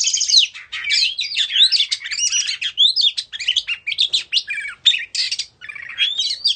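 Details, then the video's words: Oriental magpie-robin, Indonesian form, dancing and fanning its tail as it sings loud, clear phrases of swooping whistles, chattering notes and rapid trills, with short gaps between bursts in a quiet setting. "Choè Than Indo hót múa xoè"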